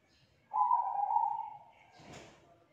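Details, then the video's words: Spotted dove of the 'kuk 2' type, young and wild-caught, giving a loud, steady low coo lasting about a second, followed by a short rustling noise. "Tekukur KUK 2 Gacor Suara TEBAL Volume KERAS MERDU"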